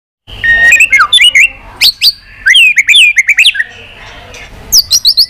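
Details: White-rumped shama singing a fighting song while flicking its tail: loud rich whistled phrases that slur up and down in quick bursts, with sharp high notes and short rapid trills between pauses.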